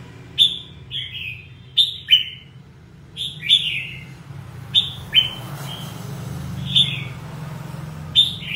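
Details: Red-whiskered bulbul of the 'ché' type, singing in a fired-up state: short bright whistled notes sliding downward, mostly in close pairs, repeated about every one to one and a half seconds over a steady low background hum.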